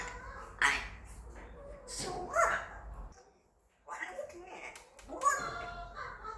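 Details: Five-year-old male African grey parrot kept as a pet, attempting English words: short bright, harmonic vocal bursts with sliding pitch, separated by pauses and a near-silent gap, with faint room noise.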